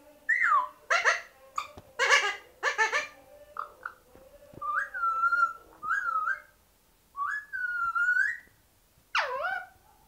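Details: Kashmiri ringneck parakeet (Psittacula krameri manillensis) whistling: clear tonal whistles, some held level and some sliding, mixed with harsh broadband squawks; no other sounds.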